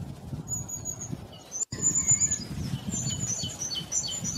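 Black-throated bushtits give very high, thin, sibilant notes and brief twittering runs, over a steady low rumble of wind or handling.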